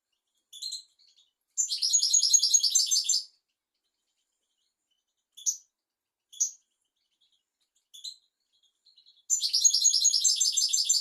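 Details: European goldfinch song used as a tutor recording for teaching goldfinches and canaries: a dense, high, tinkling twittered trill of about two seconds, a few sharp single chirps, then another rapid buzzy twitter. No other sounds.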